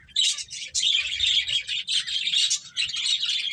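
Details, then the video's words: Finches while playing give a steady stream of high, buzzy chirps with thin whistled tones running through, nearly unbroken for three seconds. "Beautiful Birds Chirping Sounds | Cute Finches Playing"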